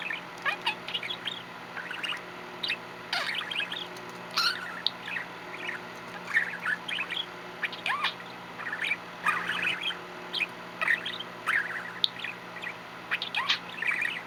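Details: Pet male budgerigar, dated 8/1/13, chirping and trilling between bits of talk: a dense run of short, varied warbled notes and quick squeaky chirps in bursts every second or so, over a steady low indoor hum.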